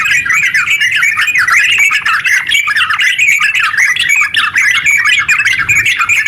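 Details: Continuous ngeropel song of sooty-headed bulbul, used as a lure to make other bulbuls sing: quick, jerky warbled phrases running together densely, loudness dipping briefly several times.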